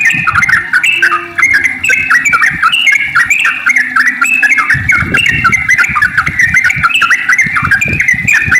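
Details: Sooty-headed bulbul song used to draw other bulbuls into singing: a long run of rapid, chattering whistled notes rising and falling, with thumping low noise in the background.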